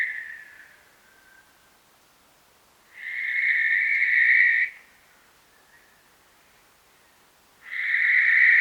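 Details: Western barn owl giving long, harsh, hissing screeches, each lasting nearly two seconds. There are two full screeches separated by several seconds of quiet, with a fainter trailing screech at the start.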